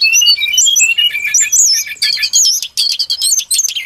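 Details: Brown-chested jungle flycatcher lure call: smooth wavering whistles that step up and down, then a busier, harsher stretch of fast high notes.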